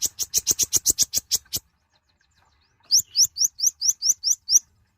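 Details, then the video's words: Kolibri ninja, a small nectar-feeding sunbird, delivering a fast trill of about a dozen sharp high notes, a pause, then a series of ten bright upslurred whistled chirps. "Kicauan suara burung Kolibri Ninja(konin) gacor"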